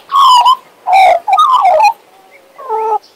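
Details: Western Australian magpie kept as a pet, whistling and singing: three loud, full, falling notes in quick succession, a pause, then a quieter harmonic note.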